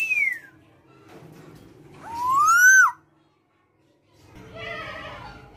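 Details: Tame female black-naped oriole, kept captive and singing actively: a falling fluty whistle opens, then a loud, clear whistle slides upward and curls down at its end, followed by faint, muffled background noise.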